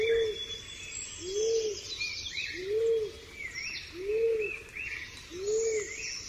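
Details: Steady low hooting coos from a pigeon, each a short rounded note, five of them spaced about every 1.4 seconds, with thin twittering songbirds behind.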